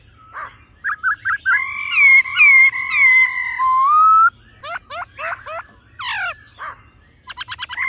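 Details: Female and male laughingthrush singing with a mature wild-type voice: short whistled notes, then long sustained wavering whistles, followed by quick sharp sweeping notes and a fast rising series at the end.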